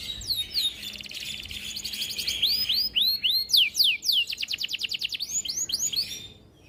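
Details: Canary singing a long masteran song: dense fast chirping, arched whistles, a rapid rolling trill and further curving notes, high-pitched and continuous, ending in a fade.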